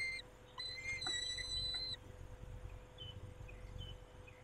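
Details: Peregrine falcon at a nest, a male tending the females, 23 May 2021 at 19:40; one drawn-out harmonic wailing note lasting about a second, with faint chirps after it and a steady low electrical hum.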